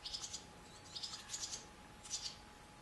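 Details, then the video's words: Barn swallows at a nest in a cow barn, adults flying in and out to feed the babies: bursts of high, thin twittering chirps in quick groups, over a steady low hum and barn noise. "Barn Swallows in the Cow Barn"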